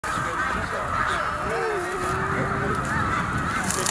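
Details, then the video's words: About 90,000 wild snow geese lifting off a field along Willow Point Trail near the lake, Middle Creek Wildlife Management Area, Pennsylvania, on February 22, 2020. A dense, continuous roar of overlapping honks holds steady throughout, with a few clearer honks rising above it. "90,000 Snow Geese Fly From Field at Middle Creek Pa. Wildlife Management Area"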